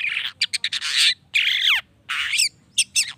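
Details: Long-tailed shrike song used to provoke other shrikes into answering: harsh broadband rasping bursts mixed with quick sharp chips and a descending slurred whistle, in loud irregular phrases with short pauses.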